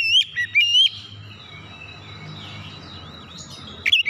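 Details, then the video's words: Oriental magpie-robin song used as a lure to get other birds singing: short bright whistled notes at the start, then a long stretch of soft distant warbling over low hum, and sharp whistles returning at the end. "kicauan Kacer pemikat"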